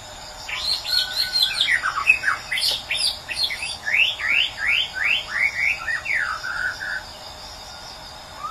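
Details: White-rumped shama from Medan delivering a loud series of quick down-slurred whistles, about one every half second, after a jumbled opening of sharp notes, ending in a softer pause.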